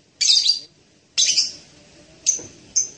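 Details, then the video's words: Blue-crowned hanging parrot giving two harsh, high buzzy squeals a second apart, followed by two short thin whistled notes. "suara burung serindit mp3 (Loriculus)"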